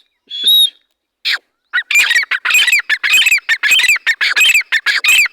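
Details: Dhakani teetar, a partridge, calling: a thin whistled note, then a rapid run of loud, harsh, squawking notes repeated almost twice a second until the end.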